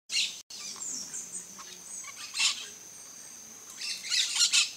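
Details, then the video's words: Yellow-chevroned parakeet on a coconut palm giving three short, harsh, high screeching bursts spaced about two seconds apart over a steady high background hiss. "PERIQUITO-DE ENCONTRO AMARELO (BROTOGERIS CHIRIRI), YELLOW-CHEVRONED PARAKEET, No coco da Bahia."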